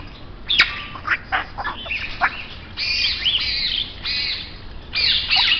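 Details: Grey parrot producing short clipped calls followed by longer drawn-out, nasal squawks in a run of several, ending with another harsh burst; faint hum underneath.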